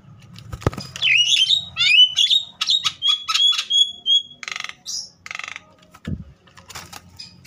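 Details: Javan myna in a fired-up singing burst, used to trigger other mynas to call back. It opens with fast, buzzy chattering and high whistles, then shifts to a run of short whistled notes with a few noisy hisses.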